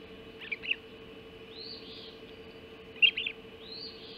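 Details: Ospreys at their Hog Island nest during an early breakfast mackerel delivery, 04:50 on 30 June 2016; two bursts of sharp chirps followed by drawn-out arched whistles, with a steady electrical hum underneath.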